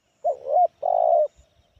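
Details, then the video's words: 'Kepala sula' spotted dove giving its medium, loud 'Kuk 1' song rich in fill notes: a short coo rising into a held tone, then after a short gap one long, even, slightly vibrating low coo, in a quiet setting. "Suara Menengah Lantang Kuk 1 Banyak Isian"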